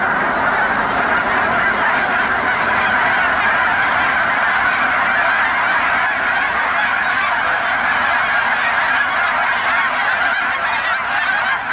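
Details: Many geese calling as they take off: a thick, unbroken wall of overlapping honking, loud and even from start to finish, with some brighter noise bursts suggesting flapping wings.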